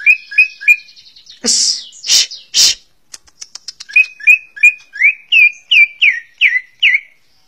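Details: A greater green leafbird (Chloropsis sonnerati) sings short, clear whistled notes, some sliding downward, about three per second, broken by a burst of harsh, rasping sounds and faint high ticks.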